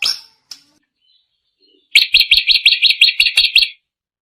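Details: Drongo giving a quick run of about a dozen bright, buzzy whistled notes, evenly spaced almost three per second, after a couple of scattered short calls.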